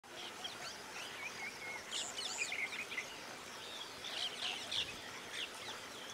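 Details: Red-rumped swallows (Cecropis daurica) call with a quick, irregular run of high, thin twitters and chirps, short notes overlapping over a steady hiss of background noise.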